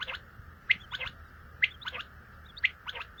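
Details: A common quail delivers a quick, sharp note followed by two softer ones, the pattern recurring about once a second against a faint hiss.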